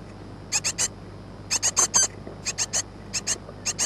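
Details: Great tit chicks about two weeks old, recorded 14 May 2011, crying for food, which they do from about 6 in the morning to 8:30 in the evening: sharp high chirps in clusters of two to four, with pauses between, over a low hum.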